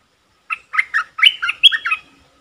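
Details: Bulbul lure call, a decoy recording made on 24 September 2021 to draw in wild birds: a quick burst of about seven bright, chirpy notes, some rising and some falling, with a slurred whistle running through the middle, on a quiet background.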